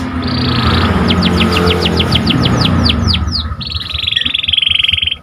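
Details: Panda canary singing to stir up other canaries: a run of clear descending whistles followed by a long buzzy trill, heard over steady broadband background noise.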